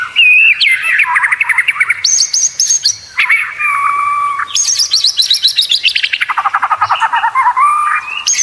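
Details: Caged white-rumped shama training song for competition: rich, fast mix of whistles and rapid buzzy trills, rising and falling across a wide pitch range, with a long sweeping rattled series near the end.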